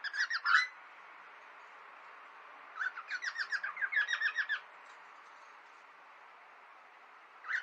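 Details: Cockatiels in a friendly tussle: a brief harsh squawk, then a second-long flurry of quick raspy chirps, with long quiet stretches between and a final short squawk.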